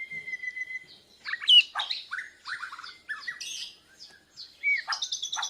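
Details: Bornean white-rumped shama practicing song in answer to a lure recording, breast feathers spread; a held whistle, then a rich jumble of loud chattering and warbled notes with a few clear slurs.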